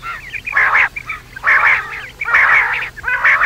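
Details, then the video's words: Night calling of quail: four harsh, buzzy chattering bursts, each roughly half a second long, coming about once a second, with a faint steady low hum underneath. "batair rat wali awaz"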